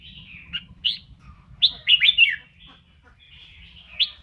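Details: Singing, dancing red-whiskered bulbul in voice training: scattered single whistled notes, then a quick run of three or four bright slurred notes, then softer notes, over a faint low hum.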